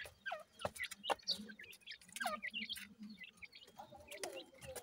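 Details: Grey francolin chicks about one week old, kept birds, giving many thin, high chirps, some falling in pitch and others short and rising, with a steady low hum beneath.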